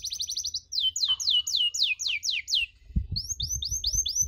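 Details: Canary chirping for a training recording meant to teach other canaries: rapid series of high, clear notes, each sliding sharply downward, about eight per second, with a short pause before the next run and dull low thumps behind.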